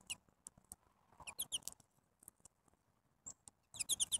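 A grey-headed junco gives sharp, high ticking chips, some in quick bursts of three or four, separated by pauses.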